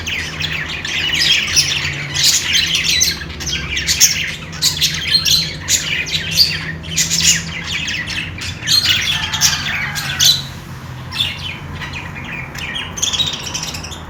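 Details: Playing budgies keep up continuous high, scratchy warbling chatter, dense clusters of squeaks and chirps with brief pauses near ten seconds, over a low steady background hum.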